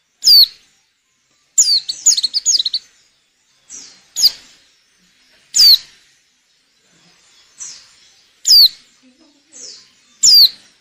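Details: Breeding-condition female white-eye calling to stir males into song for luring. Thin, high, downward-swooping whistles come at irregular gaps. A quick burst of chattering notes appears near the start, with quieter distant-sounding notes in between.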